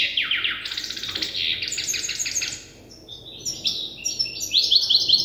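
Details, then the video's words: European goldfinch hybrid in its learning phase, taught by an older hybrid: rattling, buzzy high twitters with a quick downward sweep, a brief lull, then sparkling repeated chirps. "تغريد هجين الحسون لازال في مرحلة الحفظ"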